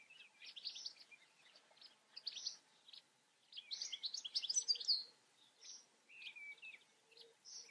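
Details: European goldfinch song in short bursts of bright chirps and twitters, broken by brief pauses, with a denser tinkling phrase near the middle.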